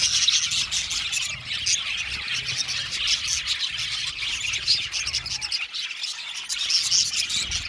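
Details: Blue male budgerigars chirping as a group: steady, busy high-pitched twittering with many overlapping short chirps and scratchy warbles, no pauses.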